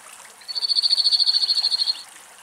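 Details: Song of a cirl bunting in a Greek forest, where a male and a probably young bird bathe in a bird bath: a dry, rattling trill of about eighteen quick notes on one high pitch for about 1.5 seconds, over a faint watery hiss.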